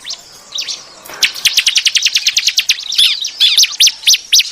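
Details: Lure call of ciblek, the bar-winged prinia, used to attract birds: a dense, fast series of sharp, high chips, becoming slightly slower and more varied toward the end, over a steady background hiss.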